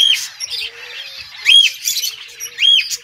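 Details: Happy budgie calls: three loud, bright, arched chirps spaced roughly a second apart, linked by softer, buzzy chattering.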